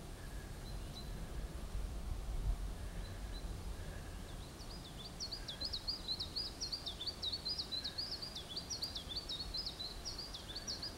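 A nightingale pours out a fast, jangling run of high, varied whistled notes in its second half, after a few scattered notes, over a steady low rumble of wind.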